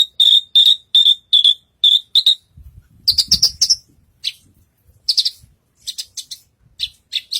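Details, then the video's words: Branjangan, Horsfield's bush lark, performing on a stage: a run of evenly spaced clear chirps, then a burst of rapid buzzy twittering. Scattered chirps and a faint low rustle follow. "Burung branjagan gacor naik panggung"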